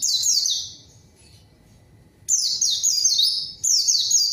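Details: White-eye song for goading rival birds and waking silent ones: high thin notes repeatedly gliding down, delivered in dense bursts separated by a long gap, with a soft low background hum.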